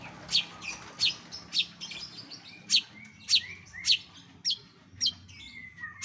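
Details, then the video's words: Bird from a compilation used to train contest shrikes, repeating sharp high downslurred chips about twice a second, mixed with lower whistled notes near the end. "MASTERAN SUARA KOMPILASI BURUNG LAIN"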